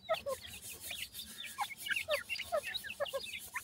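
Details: Baby partridge chicks, called pheasant or partridge chicks and shown making a bizarre teetering movement, chirp in quick thin peeps, mostly falling in pitch, coming several each second from more than one bird.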